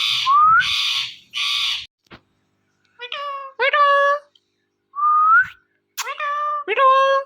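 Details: Talking pet ringneck parrot: harsh squawks and a rising whistle open, then several nasal, harmonic, speech-like syllables, another rising whistle, and more drawn-out voiced calls with quiet gaps between them.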